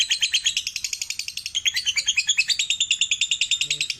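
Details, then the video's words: Lovebird song meant to get other lovebirds singing: continuous high, scratchy chatter of quick pulsed notes, steady and busy throughout with no pauses. "Terapi Burung Lovebird biar Cepat Gacor"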